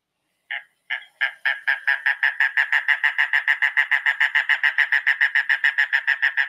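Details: Mangrove Cuckoo song: a long run of nasal, frog-like notes, first spaced, then quickly settling into a steady three or four per second.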